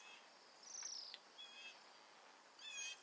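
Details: A wintering flock of roughly a hundred Bohemian Waxwings eating mountain ash berries in Alberta, migrants from the Arctic; a few short, very high, thin trills, one longer sibilant call early, then two more near the end over soft hiss.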